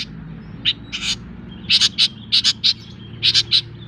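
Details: Long-tailed shrike just out of molt and starting to sing vigorously: scattered sharp high chirps, then clustered bursts of bright, clipped notes in groups of two or three, with a faint low hum underneath.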